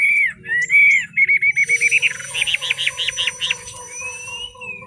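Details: A wild-voiced Chinese hwamei from the Ha Giang highlands sings in fog: loud, rich whistled phrases, then a rapid run of bright, repeated rising notes, ending on a long upslurred whistle.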